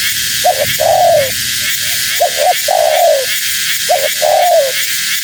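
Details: Female spotted dove call for attracting wild doves. A short double note precedes a drawn-out coo sliding downward, repeated three times, with heavy broadband hiss in the background.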